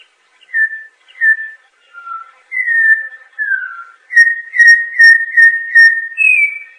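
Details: Campo troupial (Icterus jamacaii) singing a series of clear, mellow whistled notes, each slurring slightly downward, then a faster run of rich repeated whistles ending on a higher, drawn-out note; clean recording with no other sounds.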